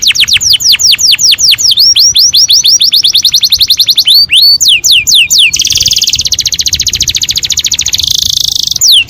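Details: Canary singing to stimulate breeding: long runs of rapid, repeated downward-sweeping whistles that speed up and slow down, breaking into a dense, buzzy, rattling trill, then a final sweeping note.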